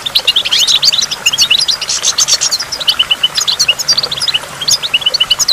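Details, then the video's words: A goldfinch near a waterfall delivers rapid chirps and twitters, with a dense burst of tangled notes near the middle, then clipped, repeated tweets against a backdrop of water noise. "in the waterfall stimulates goldfinch and water drops"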